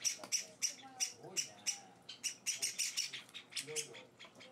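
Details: Java sparrow nestlings being hand-fed indoors, begging: irregular bursts of hoarse, sibilant high cheeps, some doubled, with a quiet voice speaking between them.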